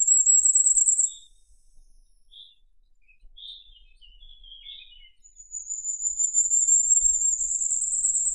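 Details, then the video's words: Firecrest song: a very high, thin run of rapid notes that opens the recording, then soft scattered lower chips during a quiet gap, followed by a longer, slightly rising high-pitched trill lasting about three seconds. "Как поёт Королёк красноголовый (Regulus ignicapillus)"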